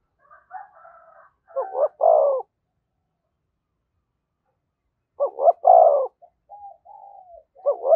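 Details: Spotted dove calling thúc gù close to a decoy bird. Buzzy layered notes open into hoots and a deep coo. After a silence of nearly three seconds, another phrase comes, then soft murmurs and a final double hoot.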